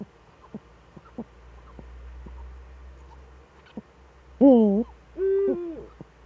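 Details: Two Eurasian eagle-owls back together in Germany's Eifel region, 18:47 on 11 March 2013: soft clicks and a low rumble, then a rough wavering call answered at once by a smoother level call sinking at its end.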